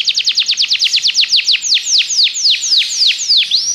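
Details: Belgian canary training song for other canaries: a fast series of downslurred whistles that gradually slows, the notes spacing out and stretching longer, closing with a rising note.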